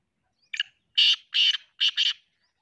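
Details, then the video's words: Black francolin calling: a short harsh note followed by four loud, buzzy, grating notes in quick succession, the last two paired closely, with silence around them. "black teetar ki awaz kala teetar ki awaz sindhi teetar ki awaz"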